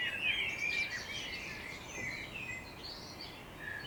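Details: Wild birds singing in the morning on the outskirts of Budapest, Hungary: overlapping high chirps and twittering phrases from several birds, a louder warbled phrase at the start, over steady low background hum.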